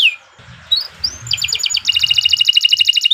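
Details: Canary song from a bird-training recording: rising whistled notes leading into a long, fast, buzzy trill of repeated pulses, with faint low background noise.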